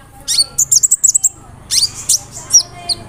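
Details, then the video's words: A brown-throated sunbird (kolibri ninja) roll nembak lure song with cricket, cililin, sparrow and cerr fill-ins: a fast series of about eight shrill, evenly spaced notes, then raspy high slurred chirps. "PANCINGAN SUARA BURUNG KOLIBRI NINJA (KONIN) ROLL NEMBAK, ISIAN JANGKRIK, CILILIN, GEREJA, CERR"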